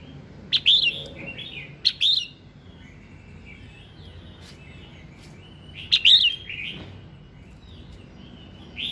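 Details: Red-whiskered bulbul singing in the morning, a prompting song for other birds: three loud, lively warbled phrases of quick slurred whistles, each a fraction of a second, with softer chatter trailing between them.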